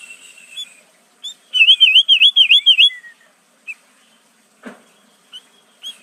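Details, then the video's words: Sooty-headed bulbul singing in a style that borrows prenjak, cucak ijo, cucak rowo and murai phrases: soft whistles, then six loud looping whistled notes in quick succession, followed by sparse short chips and a click. "Burung kutilang isian prenjak cucak ijo cucak rowo murai"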